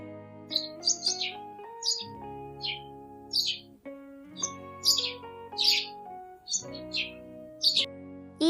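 A sparrow gives bright, short chirps in loose bursts, roughly one or two each second, over a steady background of gentle music.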